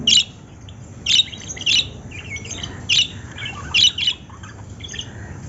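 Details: Lovebirds giving sharp, high-pitched squawking chirps in short bursts, roughly one every second, with fainter chatter between them over a steady low background hum.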